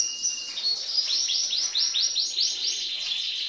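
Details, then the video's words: Green female canary giving male-like song to stimulate males. A held whistle opens into a steady series of arched, trilled high notes, each repeated at a brisk even pace. "انثى كناري تغردFemale canary singingكلذكر وتهيج الذكور"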